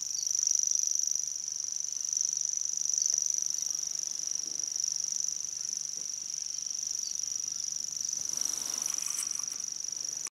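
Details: Grasshopper warbler reeling nonstop at Ezumakeeg, Lauwersmeer, Friesland, 3 May 2011: a high, dry, insect-like trill running unchanged for ten seconds, with a brief rustle of wind near the end.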